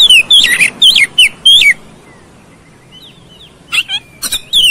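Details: Oriental magpie-robin song used as a lure to trigger fighting: a run of bright, twisting whistled phrases, a near-silent stretch with soft distant whistles, then renewed sharp notes.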